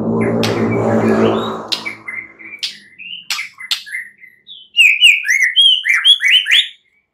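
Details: White-rumped shama song at night, played to spur singing: a low rumble at first, then scattered whistles building to a loud rapid run of sharp varied notes.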